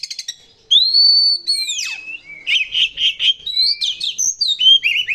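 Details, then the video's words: Oriental magpie-robin lure song, loud and harsh: a few quick chirps, then long arching whistles and a descending slur, followed by a rapid series of rich, buzzy notes and varied whistled phrases. "pancingan suara burung kacer gacor isian mewah"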